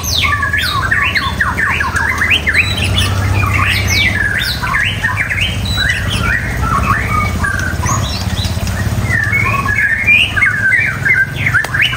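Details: Murai batu, the white-rumped shama, in sustained varied song: fast tumbling whistled phrases, slurred up-and-down notes and chatter without pause, backed by a constant low droning hum.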